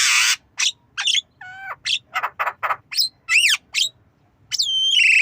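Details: Javan myna learning to cough, nodding as it calls: a varied medley of loud harsh rasps, bent whistled slurs and clipped squawks, ending on a drawn-out falling then level whistle.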